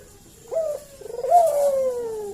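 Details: Puter collared dove giving a lure call meant to draw an answer: a brief opening coo, then after a gap a drawn-out coo that starts with a ragged burst and glides smoothly lower to its end.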